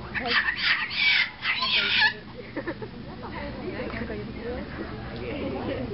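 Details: A Blue-eyed cockatoo in the garden beside the Ueno Zoo bird house, which calls while dancing when in good spirits, gives a loud run of harsh, raspy squawks for about two seconds, then falls quiet over murmuring visitors.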